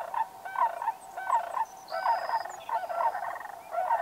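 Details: Sandhill cranes in North America calling in a rolling, trumpeting series: rattling bugled notes repeated roughly every half second in uneven groups, with thin high whistles of other birds in the background.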